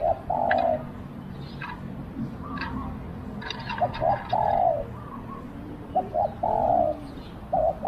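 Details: Spotted dove decoy luring wild doves: several coo phrases with short lead-in notes and long husky endings, broken by a cluster of sharp higher chirps in the middle.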